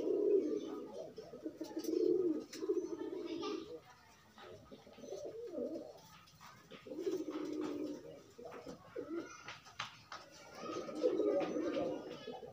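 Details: Courtship cooing from pigeons pairing while free: repeated deep, rolling coo phrases about a second long, separated by short quiet gaps, over faint background clicks and rustling.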